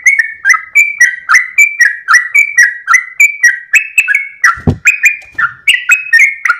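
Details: Sooty-headed bulbul singing at daybreak with tail wagging, a long 'ropel' song for tutoring birds; clear whistled phrases repeat steadily, each a higher note slurring to a lower one, with one soft low thump midway.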